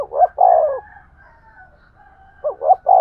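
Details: Spotted dove cooing to stimulate a male (thúc gù): the end of one phrase with a long mellow coo, a quiet gap with a faint whistle, then a fresh phrase of two short notes and a drawn-out coo.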